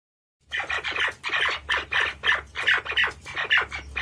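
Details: White-faced partridge giving a fast series of harsh, raspy, squawking notes, about two to three per second, each a short broad burst, running continuously after a brief silence at the start.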